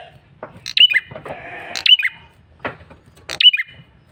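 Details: Male bar-winged prinia, lively and persistent, uttering a lure call of piercing chirps with a falling squeak, separated by buzzy, bleat-like harmonic sounds and a soft hum.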